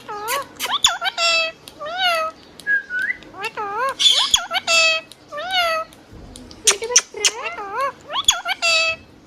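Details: Hand-tame pet green parrot talking: strings of wavering, harmonic-rich syllables with rising and falling inflections, short whistled notes and clicks, speech-like phrases repeated in bursts.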